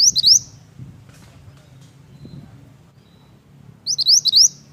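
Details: Mantenan, the pied bush chat, gives short bright phrases of four or five sharp upslurred whistles, one at the start and one near the end, separated by a quiet stretch with a low background hum.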